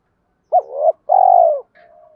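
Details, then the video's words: One cooing phrase from a spotted dove, meant to stimulate other doves to coo. A short upswept hoot is followed by a rising, swelling note, then a long, steady, gently falling coo. A faint thin tone follows it. "tiếng cu gáy kích bổi hiệu quả mỗi ngày, cu gay kich boi nhanh noi gù"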